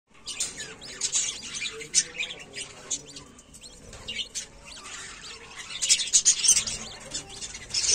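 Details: Budgerigar chicks only a few days old give rapid, raspy high-pitched cheeping begging calls in dense overlapping bursts.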